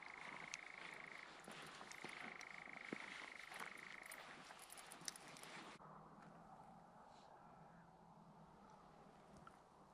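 A nightjar gives a steady, dry, mechanical churring trill in two long bouts over a hiss of background noise. The sound fades into quieter ambience after about six seconds.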